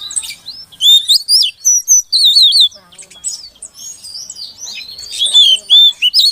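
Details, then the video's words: Female Oriental magpie-robin calling to stimulate a silent male; loud wavering whistles and warbled notes at the start, quieter twitter in the middle, and strong rising whistles returning at the end. "Suara Kacer Betina Untuk Pancingan Kacer Jantan Yang Macet Bunyi Agar Gacor"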